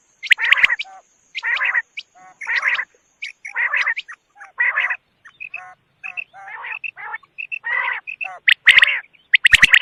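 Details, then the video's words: Quail calling: rough, harmonic-rich notes in short bursts, repeated roughly every second, mixed with brief clipped chirps, and sharp high-pitched notes near the end. "Batair ki awaz|quail sound"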